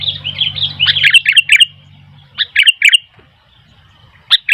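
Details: Sooty-headed bulbul in vigorous song amid noisy wild bulbuls: a dense, overlapping stream of bubbly chirps, then a clean four-note run and a final pair of bright notes.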